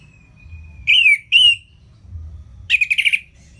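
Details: Orange-headed thrush ngeplong song, aimed at prompting lazy birds: a long faint whistle, two strong slurred notes, then a quick trill of buzzy chattering notes.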